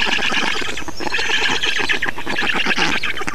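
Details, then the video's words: Estonian black storks at feeding, 2 June 2019: loud, rapid, grating calls pulse steadily, several birds calling at once. "Estonian Black Storks - Feeding"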